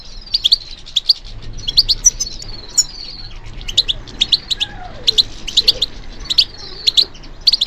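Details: European goldfinch in captivity, trained for song competitions, delivering lively twittering song: crisp high chirps in quick groups, tinkling trills and a short nasal slurred note, over faint low background noise.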